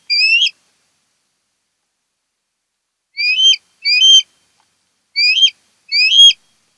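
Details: Osprey at a Kent Island, Maryland nest, August 2018: one whistled upslurred call, a three-second silence, then four more shrill rising whistles in two pairs.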